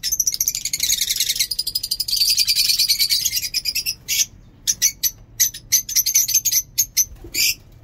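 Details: Lovebird in a home aviary: a dense stretch of rapid, high, buzzy chattering for about four seconds, then a run of short, sharp chirps and squeaks with brief pauses between them.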